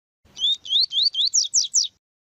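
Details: A double-collared seedeater (Sporophila caerulescens) sings a tui-tui song used to warm up and teach young birds: seven clear, high whistled slurs of about a fifth of a second each, speeding up slightly and rising toward the end.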